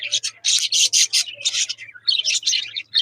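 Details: Pet budgerigars chirping and chattering in the afternoon: a busy run of scratchy, warbling chirps and squeaks in quick bursts.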